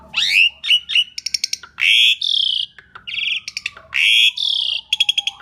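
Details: Asian pied starling singing loudly as a lure for other birds, mixing long harsh buzzy notes with rising whistles and short clicking rattles, the phrases returning about every two seconds over a faint steady tone.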